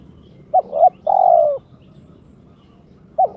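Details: Spotted dove kept as a pet, in breeding condition and challenging an opponent, gives a short sharp note, a wavering note and a sustained level coo, then a pause and another sharp onset note at the end.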